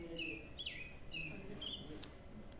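American Robin singing short, clear whistled phrases, some level and some sliding downward, about four in quick succession over a faint low hum.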